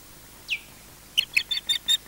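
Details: At a Loch Garten osprey nest in Scotland, a nest-defending bird gives one thin, downslurred whistle, then a quick string of five bright, clipped piping notes.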